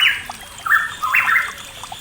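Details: Pitohui calling in the East Java mountains, used as a training lure for songbirds that have gone quiet: three loud, harsh, slightly rising squawks in quick succession over a faint trickle of water.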